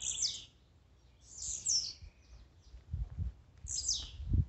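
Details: Blue-black grassquit song played to excite a captive bird; high buzzy bursts sweeping down, three in the clip, with low thumping knocks near the end.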